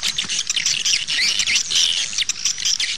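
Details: Lure recording of swiftlets, played outside to pull birds in to nest houses: busy chatter of high chirps and short rising and falling squeaks from many overlapping callers, unbroken for the whole stretch.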